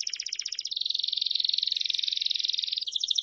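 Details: Song of a Belgian canary, a rapid buzzy trill that shifts from a higher rattling section into a long rolling warble, ending with a brief higher trill.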